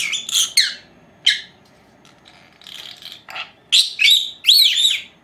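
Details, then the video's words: Two young female Agapornis lovebirds, four months old, napping at home; scattered shrill chirps with a quiet gap, then louder rising-falling whistled notes at the end. "Mis dos hembritas Agapornis, haciendo la siesta"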